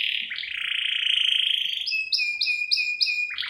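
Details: Vigorous canary singing in the filler song style, used as a lure and tutor recording: a long buzzy rolled trill, then a series of sharp two-part chirps, roughly four each second.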